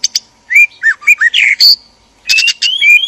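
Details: Captive white-rumped shama male and female in a breeding enclosure, used to spark mating desire: a sharp double chip, then varied loud whistles and slurred chirps, a short pause, and rising whistled notes.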